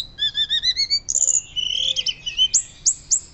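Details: Hill blue flycatcher whistling loudly in fluting style, used for luring and teaching birds: a row of even, repeated whistled notes, a high buzzy trill, then spaced rising chirps.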